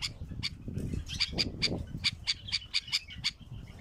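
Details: A wild bulbul gives a fast series of harsh, scratchy notes, about four each second, over a low steady rumble of background noise.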